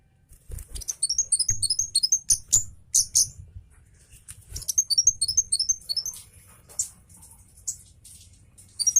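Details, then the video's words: Javan orange-headed thrush of the cabe Jawa type, agitated and singing fast with dense, sharp 'shots', beak wide open: rapid bursts of very high, thin rising whistled notes in quick chains, pausing briefly between bursts, with soft low thumps underneath. "BURUNG KEMADE CABE JAWA NGAMUK SPEED RAPAT TEMBAKAN TAJAM SAMPAI BUKA PARUH"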